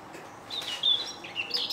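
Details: Eurasian blackcap singing in Senigallia, Italy, in the morning on 25 June 2016: a brief, rich warble of clear fluty notes sliding up and down, rising after a quiet start, over soft background hiss.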